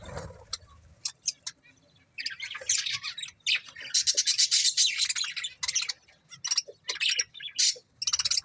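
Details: A breeding pair of budgerigars: scattered sharp clicks at first, then long stretches of loud, scratchy warbling chatter mixed with squawks and short chirps.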